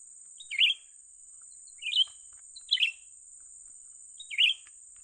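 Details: Young bulbul calling while being lured for trapping: four short, bright, slurred chirps spaced about one to one and a half seconds apart, with a constant thin high whine in the background.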